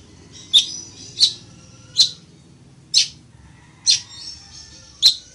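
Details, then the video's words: A chichiguao, or village weaver, recorded for teaching song, repeats strong, harsh high chips at steady intervals of about three-quarters of a second, six in all, over a low steady hum. "CANTO DE AVE TEJEDOR O CHICHIGUAGO"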